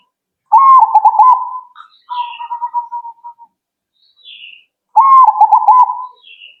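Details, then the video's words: Zebra dove song aimed at getting other doves to respond quickly. Two loud stuttering coo phrases open with an upward slide and are followed by a softer level trill. Faint thin descending chirps sound in between. "Burung Perkutut Kalian Langsung Nyaut..!!!"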